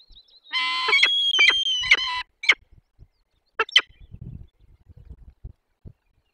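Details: Peregrine falcon chicks being fed at a forest nest, Barycz Valley, Poland, 17 April 2024: a drawn-out harsh wailing cry with strong harmonics, followed by short sharp squawks and soft rustling.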